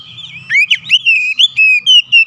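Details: Oriental magpie-robin calling its companions: a short run of clear, sweet whistled notes, one swooping upward, then several level and slurred whistles in quick succession.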